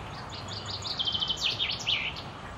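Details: Common chaffinch in song at the Akulovsky waterworks, Korolyov, May 2016: a rapid trill of high notes speeds up, then breaks into two or three louder slurred notes as a closing flourish, with distant low rumble underneath.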